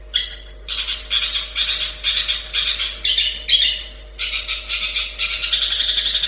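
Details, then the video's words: Long-tailed shrike in a fast run of harsh, grating bursts, roughly two per second, with one brief pause before the rasping resumes even faster, steady hum in the background. "Masteran cendet, speed jossssss - kicau burung"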